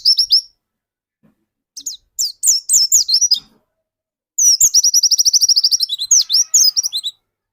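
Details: High, rapid song of a caged dakun white-eye used to draw other white-eyes into singing: short chirpy phrases with gaps, then a long burst with a fast, regular trill of repeated notes.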